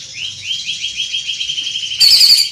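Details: Big-bodied greater green leafbird with a carrying voice delivers a quick series of short rising notes, evenly repeated for two seconds, then ends abruptly with a loud harsh chattering burst.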